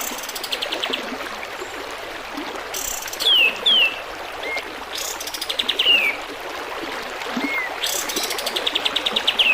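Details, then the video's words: Kapas tembak bulbul song used as a tutor recording for cage birds: sharp, high descending whistles in pairs, with short buzzy rattling trills between them, over a steady background of trickling, babbling water. "SUARA BURUNG MASTERAN KAPAS TEMBAK"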